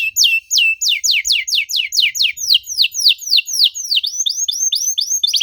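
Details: Canary song used to lure canaries that have stopped singing into song: an unbroken, rapid series of sharp downward-sweeping whistles, several per second, changing to shorter upslurred notes near the end.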